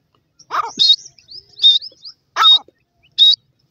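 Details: Grey francolin chicks in forest give high, short peeping notes, about four in a few seconds, mixed with lower rustling and soft chirps.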